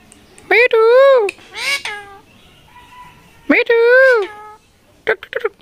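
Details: Rose-ringed parakeet talking: two groups of loud, nasal, meow-like calls with rising and falling pitch, each about half a second long and rich in overtones, separated by quieter murmurs, with fainter short notes at the end.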